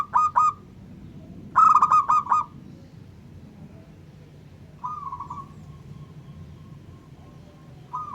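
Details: Local zebra dove singing to provoke other doves: short bursts of rapid staccato coos, then a long, faint, steady hum-like note with low background rumble.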